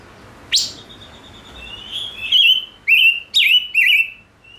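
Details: Chim ngũ sắc singing strongly. A sharp note opens a long level whistle, then come loud, slurred, warbling whistled phrases about twice a second, each with a bright chirping top.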